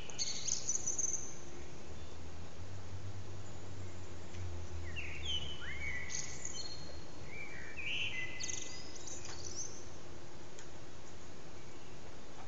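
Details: In a backyard at morning, a common blackbird delivers a run of short whistled phrases with pauses between, mid-pitched and slurred, plus a faint low hum and distant high chirps.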